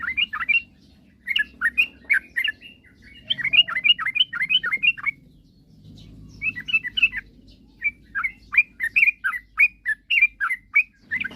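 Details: Lively sooty-headed bulbul song used to provoke rivals: repeated groups of three or four quick liquid notes, broken by short pauses, building into a steady run of bright, slurred chirps.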